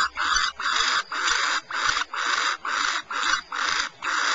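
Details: Barn owls at Starr Ranch, California: harsh, breathy hissing screeches, each about half a second long, repeated steadily in a regular series with short silent gaps between bursts.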